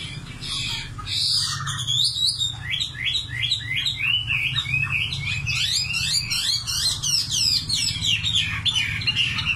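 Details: Common nightingale in full song: a few separate whistled notes, then a long rapid series of sharp, downward-sweeping repeated notes forming a rattling trill, over a steady low hum.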